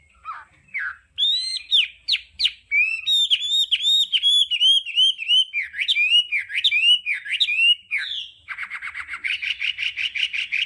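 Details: Hwamei sings in the đảo âm style for voice training: a series of bright upward-sweeping whistles, then looping slurred phrases, closing with a long fast chattering trill.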